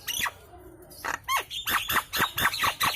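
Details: Loud Nias hill myna lure calls to make birds answer and sing: an opening squawk, a pause, then a fast run of downslurred, harsh whistled notes about four per second.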